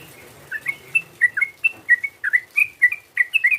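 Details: Rival-provoking call of a sooty-headed bulbul: clear, slurred chirps, some rising and some falling, repeated roughly every quarter second with small irregular gaps, in a quiet setting.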